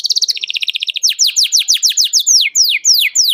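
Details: Canary song that calls out a rival, played as a lure for canaries learning to sing; a fast pulsing rattle gives way to a steady series of loud, falling whistled chirps.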